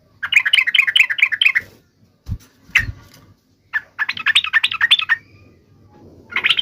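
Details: Trucuk, or Yellow-vented Bulbul, song meant to make other trucuk birds sing: bubbly, warbling phrases of quick, varied notes in two long runs, broken by a few separate calls and low knocks.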